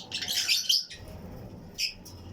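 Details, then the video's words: Fischer's and lutino lovebird pairs in a colony flight cage; a dense burst of harsh, squeaky high chirps, then a short pause and two more sharp chirps. "Fischers & Lutino Colony Chirping Sounds | Lovebird Aviary"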